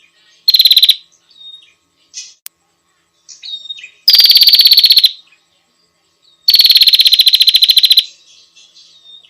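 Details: Female bar-winged prinia calling the male: three loud, rapid, buzzy high trills, each lasting up to about a second and a half, separated by short soft chips and thin notes, on an otherwise silent background.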